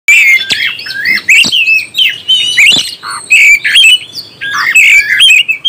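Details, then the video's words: Oriental magpie-robin song used to raise the emotion of other magpie-robins: loud, varied whistled phrases, rising and falling slurs and sharp chirps, delivered in quick bursts separated by brief gaps. "NAIKAN EMOSI BURUNG KACER ANDA"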